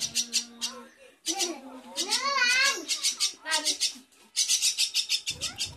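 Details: A hand-fed young Javan myna chick being trained to talk gives harsh, rasping bursts broken by wavering, speech-like notes that swoop up and down, in quick repeated phrases.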